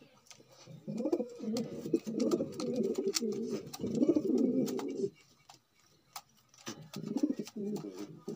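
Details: Indoor recording of a male magpie pigeon giving deep, gurgling coos in a sustained rolling stream for several seconds, breaking off briefly, then resuming, with sharp clicks and rustles over the top.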